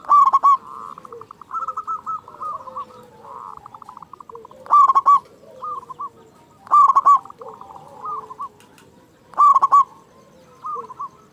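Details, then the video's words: Loud-voiced local zebra dove calling steadily, used to stimulate quiet or stressed caged doves. Four loud pulsed bursts spaced two to three seconds apart stand above fainter bubbling coo phrases from neighbouring doves. "Perkutut Lokal Gacor Suara Besar Pancingan Burung Perkutut Agar Cepat Bunyi"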